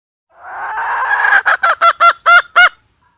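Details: Calling hen used as a lure for trapping: a long, harsh, buzzy note is followed by six loud, clipped honking clucks, the last ones strongest, ending cleanly in silence.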